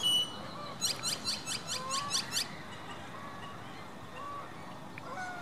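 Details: An American coot with orange-headed chicks gives a quick run of about eight harsh, high notes, roughly four per second, with faint whistles from other birds behind.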